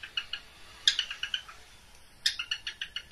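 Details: Pet cockatiel mating call made of short, harsh chirps repeated in two quick bursts, each a string of about six clipped notes, over a quiet background.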